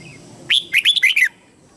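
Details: Red-whiskered bulbul acting as a decoy to call wild bulbuls to fight, with a crisp whistled song phrase of five notes, the first higher and separate, the rest tumbling quickly and dipping slightly in pitch.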